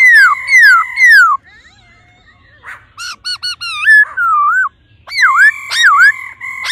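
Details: Hen laughingthrush rousing a male with 'ro ro' calls: three falling slurred whistles, a gap, a quick series of short wavering notes, then steady drawn-out tones mixed with dipping V-shaped whistles.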